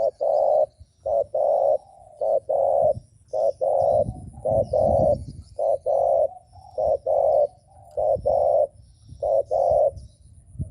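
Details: Spotted dove giving a provoking decoy coo: a steady series of short, deep, hollow coo notes, often paired, roughly one pair per second over ten seconds, with faint high chirping from other birds.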